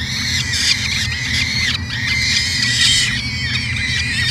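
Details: Edmonton, Canada, 2017 nest cam of a peregrine falcon: a steady run of piercing, harmonic squeals, several curving up then down, almost continuous across the recording, with an underlying hum.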